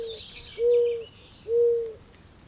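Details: Mourning dove's low, hollow hoo notes, two clear steady coos nearly a second apart after a faint one, with distant bird chatter high above.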